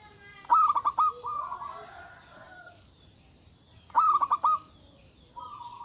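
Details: A local zebra dove in energetic, big-voiced calling aimed at rivals. Two bursts of five clipped, rippling coos are each followed by a steady, sustained note, with faint background hiss.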